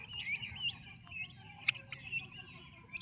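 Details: Turkey chicks with their mother, described as healthy and active: high, thin peeping chirps sliding up and down, scattered irregularly with short gaps, over a low steady rumble of background noise.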